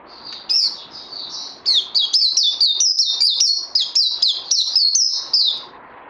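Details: Kept songbird needing more training after Covid-19, recorded 18 May 2020: loud, rapid series of clear whistled notes that slur up and down, delivered almost without pause for about five seconds over faint background hiss.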